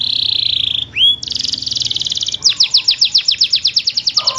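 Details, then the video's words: Energetic canary song for luring non-singing canaries: a sustained high buzz, a rising slur, another buzzy stretch, then a loud run of repeated down-slurred whistles at about six per second. "burung kenari Gacorr ngeroll cuit-cuit!!!!Cocok untuk pancingan kenari malas bunyi,,langsung nyaut!!"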